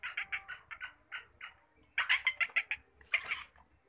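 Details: A kept black francolin (black partridge) gives harsh, grating notes in quick bursts, about three a second, with a louder raspy flurry near the end.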